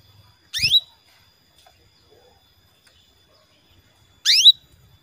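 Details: Female canary calling to the male: two loud steeply rising swept calls about four seconds apart, the first with a low thump beneath it, otherwise quiet.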